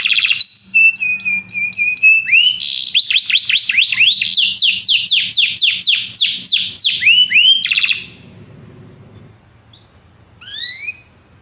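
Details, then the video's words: Canaries singing together after hearing music. A flat whistled note with chips leads to a long series of fast, steep descending slurs. The song then breaks off, and a few isolated rising notes follow after a pause. "muitos canários cantam junto depois de ouvir essa música"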